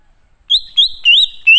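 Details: Greater green leafbird, wild-type song serving as a lure to call wild birds: four loud, pure whistles, long level notes with rising inflections, given in quick succession.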